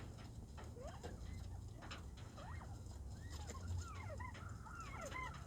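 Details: Quail in an outdoor aviary on 14 February give many short, arched chirping notes, rising and falling, several per second and overlapping, over a steady low rumble of background noise.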